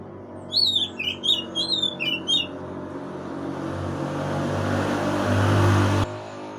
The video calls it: Magpie-robin | chirping sound lures opponent